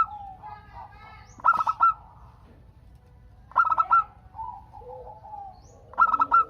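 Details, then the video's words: Local zebra dove song meant to prompt other doves to answer: three bursts of quick, stuttering, bright coos about two seconds apart, with lower, softer cooing from other doves between them. "Perkutut Lokal Gacor Untuk pancingan kutut perkutut agar saling bunyi BERSAUTAN"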